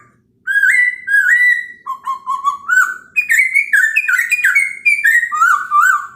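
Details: Chinese hwamei morning song aimed at provoking other birds: an unbroken stream of varied whistles, first slurred paired notes, then a quick jumble of short bright notes climbing and dipping.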